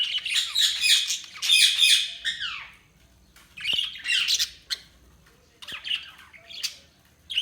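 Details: Budgerigars chirping indoors: dense bursts of scratchy warbling chatter and squawky notes, several overlapping in a flock-like jumble, with short quiet gaps and a few sharp clicks.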